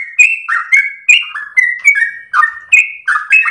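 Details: Long-breathed, melodious ropel song from a yellow-vented bulbul, recorded for training and luring birds: lively whistled slurs in rapid sequence, some drawn-out level notes among them, bright high clicks over a silent background.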